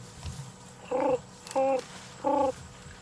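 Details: A Ring-necked (Cape turtle) dove gives three mellow, hoarse cooing notes, evenly spaced about two-thirds of a second apart, over a quiet background hum, on an afternoon game drive at Ngala Private Game Reserve, South Africa, 10 May 2020.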